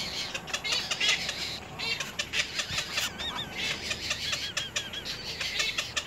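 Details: Young little egrets in the nest attacking their parent with hard bites produce rippling, wavy calls repeated in short strings, with steady background hiss and rustle.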